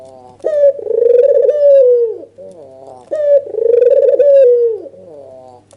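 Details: Red-eyed white dove, also called albino, giving an agitated nodding display call meant to provoke a lazy rival dove into calling; two long wavering coos, each opened by a sharp note and trailed by short stuttering notes, in a small room.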